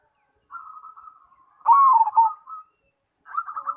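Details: Singing zebra dove (Cemani perkutut): low trilled purring, then a loud stuttering coo that dips and trails off. A fresh bout of rapid trilling starts after a brief silence.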